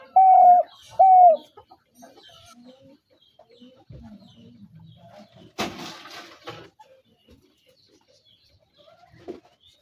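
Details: Spotted dove, a decoy or hunting dove, with two loud clear coo notes at the start, then mostly quiet with a brief noisy rustling burst and a faint low note near the end.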